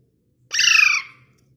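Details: A pet parrot gives a single harsh, slightly falling squawk lasting about half a second in a quiet room with a low hum.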